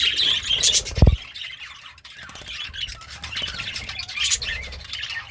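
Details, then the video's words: A happy budgerigar, a pet eating greens, chatters in scratchy warbles and squeaks, broken by a sharp knock near the start, over low hum. "The Sounds of a Happy Budgie - Chirping, Singing, and Eating Greens"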